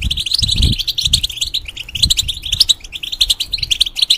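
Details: Caged European goldfinch whose song tutors young goldfinches and hybrids, delivering a brisk, unbroken stream of bright chirps and liquid trills, with a few low thumps early on.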